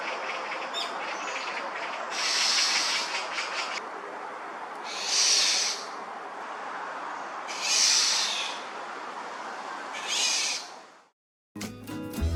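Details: On a hot day at Gongneungcheon stream, Korea, a black-naped oriole reacts to an intruder, perhaps near its nest; four rasping, noisy calls, each about a second long, spaced roughly every two and a half seconds.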